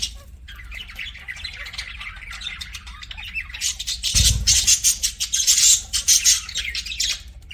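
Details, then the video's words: Pet budgerigars warble softly, then break into a loud run of rasping squawks and shrill chirps repeated rapidly over the last few seconds. "CUTE PET BUDGIES"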